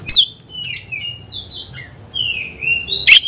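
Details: Oriental magpie-robin in a song contest against a rival: sparse, sliding whistled notes with a few loud, harsh bursts at the start and end and quiet gaps between them.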